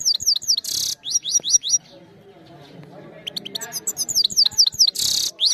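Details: Trained goldfinch song captured on a phone camera: short series of bright rising chirps and buzzy bursts, broken by a quieter gap with low background noise before the twittering resumes.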